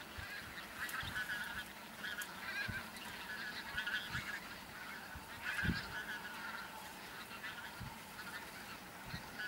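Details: Thousands of bean geese on a field on Texel, Holland, in November 2014, many taking flight; a dense chorus of nasal honks rises and falls over constant flock chatter.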